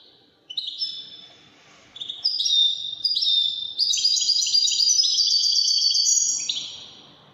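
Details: 'Widani' European goldfinch starts with a few separate high chirps, then builds into a dense, rapid twittering warble of bright trilled notes that stops abruptly near the end.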